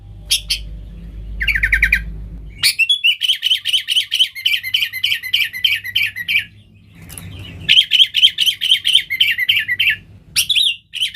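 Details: Lively sooty-headed bulbul song meant to draw in wild birds: long strings of fast, pulsing chirps and warbled notes, broken by short gaps, over a low background rumble.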